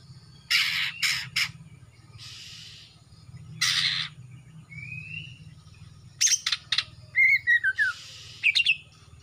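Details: Young male greater green leafbird from Kalimantan, its juvenile speckling fading and foreneck turning black, in lively song. Loud scratchy bursts and chatters in quick groups, a short rising whistle, and a wavering descending warble, all over a low steady hum.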